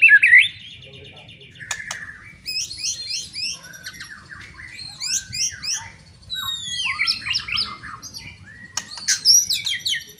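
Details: Loud provoking song of a white-rumped shama, used to stir other shamas into aggressive singing: a brief whistle, then a long varied sequence of high, fast slurred and trilled notes with short gaps.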